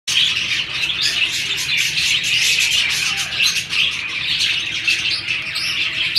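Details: Budgerigars kept in pairs during the breeding season, while mating, give dense, continuous high chirping and warbling chatter from several birds, with steady scratchy twittering throughout and no clear pauses.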